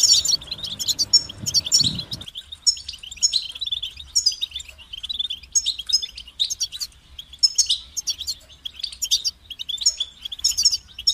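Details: European goldfinch singing a steady series of tinkling, buzzy twittered phrases; a low humming noise fades out within the first two seconds, leaving clear song.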